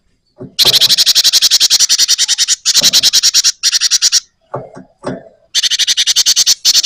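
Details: Java sparrow singing vigorously in a rolling style: long runs of rapid, harsh, rattling chips at a high pitch, broken by brief pauses and a few softer low notes.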